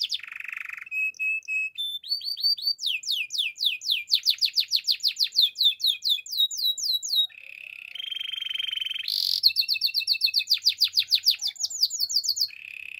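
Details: Singing male canary pours out a varied song: a low buzzy trill, a steady whistle, long series of quick falling sweeps, then rattling rolls and renewed sweeping phrases, loud and clear against a quiet background.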